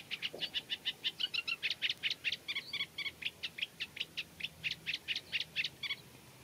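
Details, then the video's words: Song of a Eurasian reed warbler in a reed bed, slow and scratchy with mimicry of local birds; a steady chain of rasping high notes, some doubled or trilled, delivered about four per second. "Eurasian Reed Warbler Song | Acrocephalus scirpaceus Singing"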